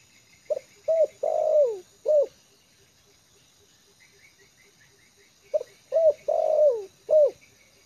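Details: A spotted dove trained as a decoy and resting comfortably on the ground repeats its mellow four-part coo twice, about five seconds apart. Each phrase ends with a long falling note and a last coo, while thin high chirps sound faintly in the background.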